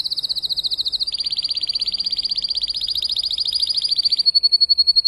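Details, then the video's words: Spanish timbrado canary, a breeding tutor bird, singing after moulting: a bright trill, then a long broad rolling passage with an upper harmonic, closing on a thin, steady, higher pulsed note. "TIMBRADO RODOS"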